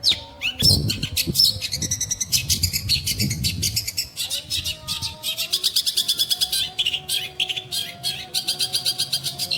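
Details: Long-tailed shrike song: a jumble of scratchy chatter and sharp chirps that settles into fast, evenly repeated high notes, with a quiet low hum beneath.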